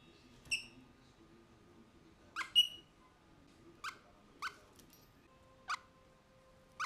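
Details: Mulga parrots in a cage, filmed from inside with a GoPro Hero 3+ on the morning of 18 November 2014; a few clear whistled notes, then sharp short chips spaced about a second apart, against a faint steady hum.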